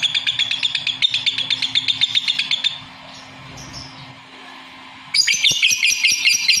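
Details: Lovebird pouring out quick harsh chirps, falling quiet for about two seconds, then bursting back with loud, rasping, rapid notes.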